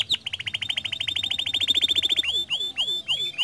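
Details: Canary singing vigorously, a recording used to prompt other canaries to sing: a rapid, even trill of high, sharp notes at about four per second, then slower, swooping whistled notes that slide downward.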